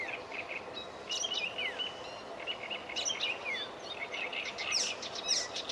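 Icterine warbler song, a fast, varied chatter of high whistles, squeaky notes and downslurred phrases, with a faint background hiss.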